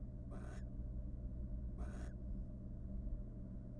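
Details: Courting wild barn owl pair in a nest box after raising three young: two short hoarse screeches with a slight upward sweep at the end, about 1.5 seconds apart, over electrical hum.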